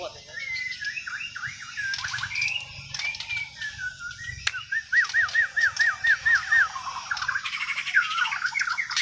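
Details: Kalimantan white-rumped shama, Borneo, with natural untrained song: varied chattering notes, then a clear run of about ten repeated looping whistles, followed by further warbling; a sharp click partway through and steady background noise.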